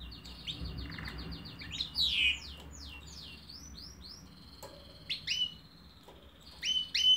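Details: Canary song with a rapid even trill at the start, tumbling descending sweeps, and later sporadic sharp whistled notes between quiet pauses.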